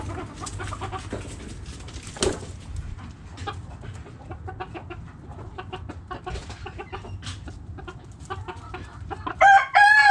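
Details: Backyard hens cluck in scattered short bursts for several seconds, one sharp louder squawk early on, and a rooster starts a loud crow at the very end.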